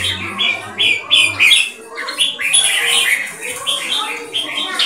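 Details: Loud, clear keke from a competition red-whiskered bulbul (Thai jambul, champion bloodline, over four years, open-tail display): a rapid string of bright, scolding chirps, steady and high, the opening second backed by a low hum.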